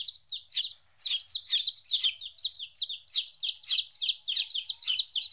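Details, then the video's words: Young chickens aged 14 days, first time separated from their mother, give a continuous chorus of piercing, falling peeps, several birds calling together at roughly three notes per second. "Chicks Chirping Sounds - Baby Chicken Sounds"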